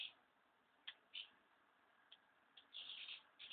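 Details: A flock of house martins about to leave their nests gives sharp single chirps, then a longer rippling twitter near the end, high and clipped, with a low steady hiss behind.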